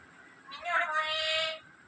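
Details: A black-capped lory talks in one drawn-out, nasal, harmonic utterance of about a second that rises slightly at the start and then holds steady, over a low background hum.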